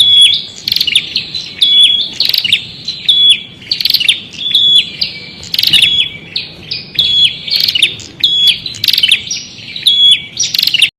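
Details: A prinia sings continuously for eleven seconds, repeating loud high chirps and buzzy, crackling bursts in steady phrases of roughly a second each. The surroundings are quiet.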